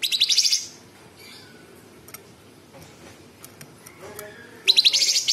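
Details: Sooty-headed bulbul singing harsh, rapidly pulsed, buzzy trills. One trill opens and another closes, with a gap of faint clicks and soft notes between them.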